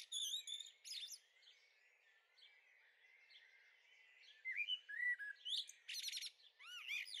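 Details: Young common blackbirds in a garden on the Veluwe, Netherlands, on 30 April 2014, give thin high chirps and stacked squeaky notes in bursts, a quieter middle stretch, and rising whistled notes at the end.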